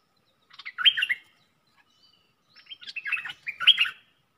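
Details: A caged red-whiskered bulbul used as a luring decoy gives a bright, bubbling warbled phrase, pauses over a second, then sings a longer, richer phrase of quick rolling notes.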